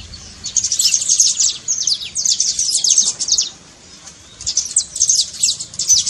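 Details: Saffron finch in trincado style, a song for rousing a reluctant canary: two dense bursts of high, downward-slurred chips, a pause of about a second, then another rapid burst.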